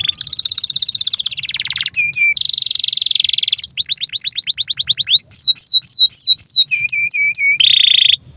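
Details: Long canary master song meant to teach young canaries and prompt silent ones to sing: rapid rolling trills, low steady notes, and series of high downswept whistles, tours changing every second or two.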